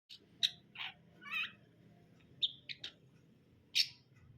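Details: Long-tailed shrike singing: short, sharp chirps and clipped notes scattered over about four seconds, some higher and squeaky, with a faint low hum underneath.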